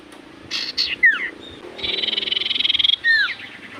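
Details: Common iora singing in full voice so other ioras answer: buzzy notes and a falling whistle, then a long rapid buzzing rattle, closed by a loud down-slurred whistle.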